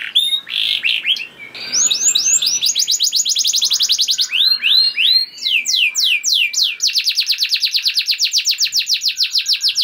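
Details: Lure song of a canary meant to make other canaries sing: a stuttering start, then long rapid trills of rising sweeps, a burst of looping downslurred notes and a fast even rattle to the end, high and loud throughout.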